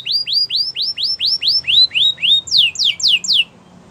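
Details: Canary training song: a steady series of rising, arched whistles, then four quick downward sweeps, ending in quiet.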